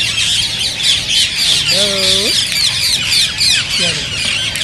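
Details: Rose-ringed parakeets, green birds whose voices are said to prompt others to sing and mate, in a steady shrill chattering chorus of many overlapping screeches, broken by a drawn, wavering lower harmonic call midway and a short one later.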